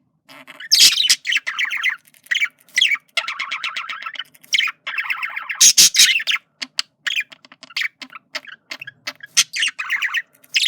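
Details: A male budgerigar's flirting chatter: long, buzzy warbled phrases of rapid harsh notes broken by sharp squawks and quick clicks, steady and energetic throughout.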